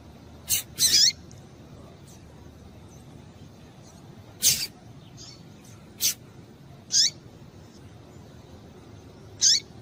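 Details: Female double-collared seedeater calling to excite males: sparse, sharp, high chip notes that sweep downward, spaced a few seconds apart among dry clicking sounds, over a faint steady background hiss.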